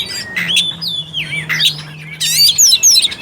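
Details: Oriental magpie-robin lure song to provoke a silent bird: bright slurred whistles dipping and rising, then a harsh rasping burst and sharp high notes, with a faint low steady hum underneath.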